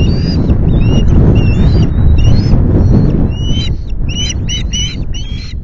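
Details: Ospreys at a nest at Loch Garten on an afternoon of 25 July, during fish deliveries: rapid series of sharp, whistled chirps, some upslurred, repeated many times per second in bursts over heavy low wind rumble.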